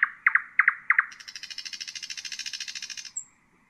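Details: Nightingale song in Husayna style for teaching chicks: sharp paired notes repeated four times, then a long rattling buzzy trill and a last thin whistle.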